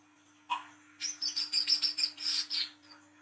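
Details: Olive-backed sunbird recorded at night as a trapping lure: one short low chip, then a fast run of about eight high, sharp, twittering notes in a tight trill.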